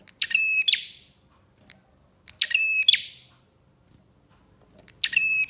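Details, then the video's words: Bar-winged prinia song, used to stir other prinias to sing: three crisp phrases about two and a half seconds apart, each a buzzy trill over a flat high whistle, with faint clicks between them. "PANCINGAN BURUNG PRENJAK GACOR"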